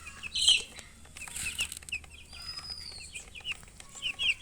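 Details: Hen's chicks peeping in short high chirps, with a loud flutter of wings near the start, a drawn-out whistle in the middle, and louder peeps at the end.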